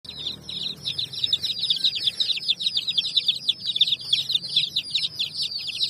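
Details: Baby chicks with a hen on raw bricks, a dense flock of high, rapid peeps chirping continuously and overlapping, each a short downward-sliding note, with faint low background rumble.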